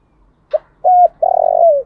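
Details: A morning call from a decoy spotted dove: a brief opening note, a steady level coo, then a long throbbing coo that slides downward, loud and close.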